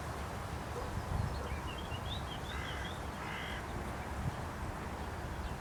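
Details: Perched on a post in Aranoltza, Zamudio, Bizkaia, on 12 June 2020, a carrion crow utters two rasping caws close together near the middle, after a rapid run of thin high chirps from small birds, with constant low rumble throughout.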